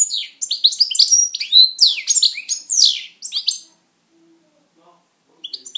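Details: European goldfinch, a pet, pouring out an energetic, bubbly string of high chirps, slurs and trills for over three seconds. The song stops, then faint chirps return near the end.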